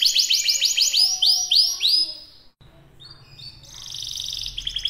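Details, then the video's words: Canary singing at full, lively pitch: a run of loud downward-sweeping whistled notes, then a short pause and a fast high trill, with faint low background hum. "Kicauan Burung Kenari || Kicau Mania || Full Gacor"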